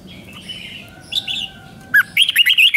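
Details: Red-whiskered bulbul from Thailand, a caged song bird, giving a five-syllable song with doubled notes, played for young birds to copy: faint whistles early, then a quick run of five or six clear warbled notes near the end over low background hiss.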